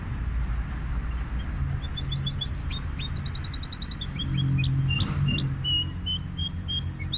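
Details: Goldfinch hybrid delivering a continuous high twittering song: rapid repeated chips, short trills and varied bright notes, about three to four per second, with a constant low droning hum behind.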